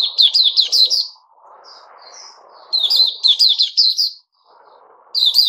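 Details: Kept Puteh Raja bulbul fed fruit juice, one mealworm and a health drink, dated 08-05-2021: fast, bright, chattering warbles in three bursts, with faint softer notes and low murmur between them.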